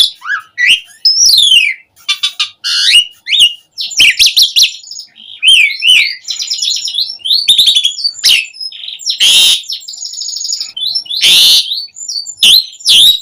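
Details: Asian pied starling delivering a busy gacor full-isian song used as a lure for captive birds: harsh buzzy bursts mixed with swooping whistles and chattering notes, almost without pause.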